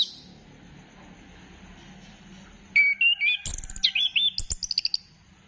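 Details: Lure song of an orange-headed thrush meant to stir other birds into singing. After a near-silent start comes a quick burst of warbled whistles, shifting pitch, ending in a fast series of high, repeated notes.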